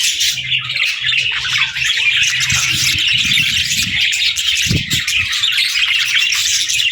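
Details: Playful baby budgies chirping with excitement: a loud, unbroken chorus of high scratchy twitters and warbles from many birds, with a short low thump midway.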